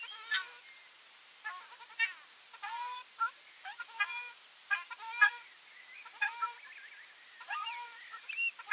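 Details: Ruddy shelduck giving nasal, harmonic honks in short clusters, irregularly spaced through the recording, with overlapping calls suggesting more than one bird and a faint higher tonal line in the background.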